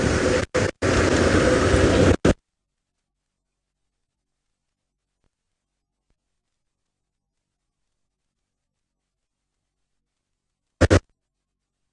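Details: Two seconds of rough, broadband rumble, likely a vehicle or handling, then near silence broken by one brief burst of noise near the end.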